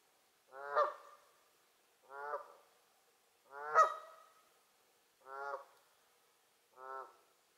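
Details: A Canada goose at Lower Huia Dam on 27 August 2018 gives five loud, nasal honks, roughly one every one and a half seconds, some with a rising, cracking edge; otherwise quiet.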